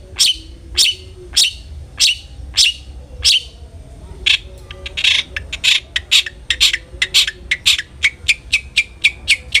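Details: Long-tailed shrike (cendet), played as a lure so another shrike sings aggressively: evenly spaced harsh high chips about every half second, speeding into a denser stuttering series of rasping notes.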